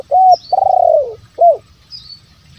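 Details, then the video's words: Spotted dove lure call in the 'bero kuk, 1 lambung kuk' style, used to make wild doves call and to stir quiet decoy birds: a short mellow hoot, then a long rolling coo falling at the end, then another short hoot. "SUARA PIKAT TERKUKUR SI BERO KUK 1 LAMBUNG KUK"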